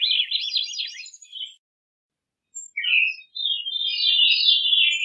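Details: Singing Veery: a dense, buzzy-fluty swirl of notes, a pause, then a longer rolling phrase. The second phrase starts lower and climbs into a wavering high band that slowly sinks. No other noise.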